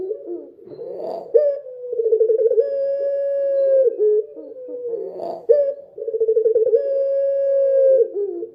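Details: A dove sings after dark, giving repeated rolling coos. Each begins with a quick burst of pulsed notes, then settles into a sustained low tone for about two seconds before falling away.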